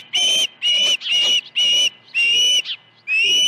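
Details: Osprey at the Dunrovin Ranch nest on 21 August 2019, morning of two fish deliveries at 7:05 and 7:31 AM. Rapid series of six intense, clear whistled notes, nearly continuous, with small overlapping squeaks between them.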